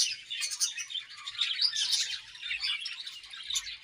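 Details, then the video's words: Budgerigar colony chirping as the birds eat, a busy mix of high squeaky chirps and warbling chatter from several birds overlapping without pause. "Budgies Colony Chirping Sounds"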